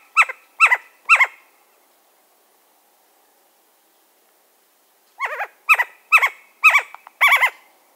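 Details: Western screech owl, agitated, barking in two bursts: three harsh downward barks, a silent gap of several seconds, then a faster run of six doubled barks with crisp, clicking edges, possibly bill claps.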